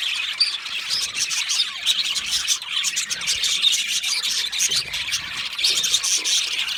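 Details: Aviary of budgerigars keeping up a steady, crowded chorus of high chirps, buzzy warbles and short squeaks, overlapping constantly throughout.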